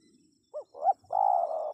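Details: Spotted dove, used to draw wild birds into responding, giving two short rising-falling notes followed by a long, steady, purring coo lasting about half a second.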